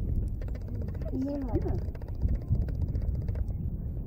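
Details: A Northwestern crow standing on a branch at George C. Reifel Migratory Bird Sanctuary, apparently not addressing other crows, gives a brief run of odd, warbling, gurgled notes midway through, over a steady low rumble and a faint human voice.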